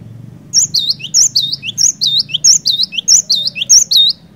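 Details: Energetic cinereous tit song used to trigger singing in reluctant birds: a long run of about nine repeated high whistled phrases, each with a swooping middle note and a lower downslur, over a soft low background rumble.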